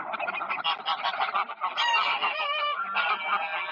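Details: Loud, close chorus of greylag geese on city park ponds, October 2024, with rapid overlapping honks and some higher, drawn-out nasal notes rising above the clamour.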